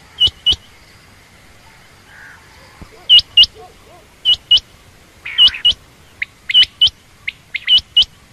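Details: Quail hen, named as common or rain quail, uttering bright paired notes with brief pauses, then a denser run of chirps and a short burst of rougher sound midway; quiet background.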